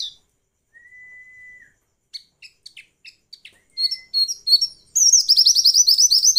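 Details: Female white-eye calls, used to provoke males into singing as in the wild: a long flat whistle, then scattered high thin chips, then a fast buzzy run of rising-falling high notes.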